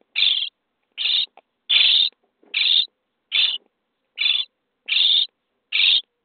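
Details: Common starling nestlings in a nest box on day 23, being fed: harsh, raspy bursts repeated roughly once a second, eight calls with brief silent gaps between them.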